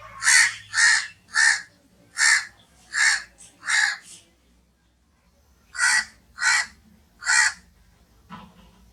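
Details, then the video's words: Crow cawing in two bursts: six rough, evenly spaced caws about half a second apart, a pause of nearly two seconds, then three more, followed by a faint low sound. "crow sounds"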